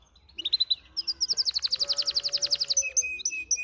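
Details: Brambling and canary hybrid singing: a few high chirps, then a fast even trill of bright notes, followed by sharp high whistled calls and a steady thin tone.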